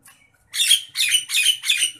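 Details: Nias hill myna in an agitated state, recorded as a training track for caged birds: four loud, harsh, screechy bursts given in quick succession, each about a quarter second long, after a faint opening note.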